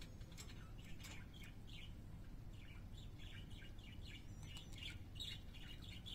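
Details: Pet parakeets singing: a steady stream of soft, scratchy chirps and short warbled notes, high-pitched and closely spaced, over a low background hum.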